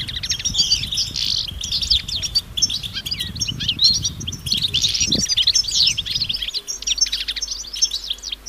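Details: A flock of European goldfinches in the wild gives mating and readiness calls meant to prompt males to sing. Busy high twittering and liquid chirps overlap throughout, with low rumbling background that drops away near the end.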